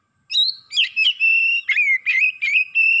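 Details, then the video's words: Excited Oriental magpie-robin pouring out its learned repertoire: a clear sustained whistle sliding between pitches, broken by quick buzzy flourishes, delivered loud and close. "KACER NAIK EMOSI BONGKAR ISIAN"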